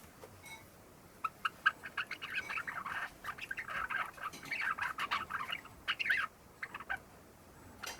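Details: Young pet Java sparrow just over three months old practising subsong, begun within days of arriving home: soft, rambling chatter of short clicks and warbled notes, quiet at first, then a denser run from mid-clip, in a quiet room.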